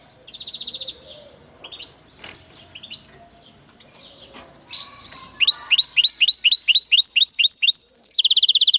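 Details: Linnet x canary hybrid singing: scattered soft chirps and whistled notes, then from midway a fast series of bright, rising, repeated high notes, ending in a rapid buzzy trill.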